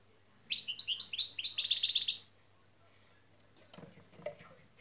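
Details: Caged European goldfinch in a song-training recording, singing one burst of about one and a half seconds of rapid, high, twittering trilled notes, followed by faint low knocking and rustling sounds.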